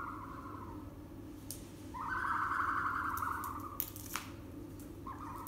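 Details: Young ostrich chicks in an indoor pen on a farm, first brood of the year, 23 April 2020: a long, steady whistling call lasting about two seconds, flanked by shorter whistles and a few sharp knocks.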